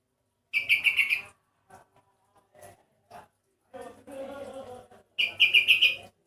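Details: Sooty-headed bulbul, an individual whose voice sounds unusual and unlike typical birds of its kind: rapid bursts of about six chattering notes open and close the recording, with a person talking in between.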